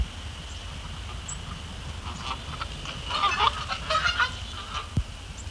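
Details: Canada geese visiting ice-covered Sapsucker Woods Pond before sunset in February, walking and foraging on the ice; a burst of overlapping honks and short clucking notes from several birds midway through, against steady low hum.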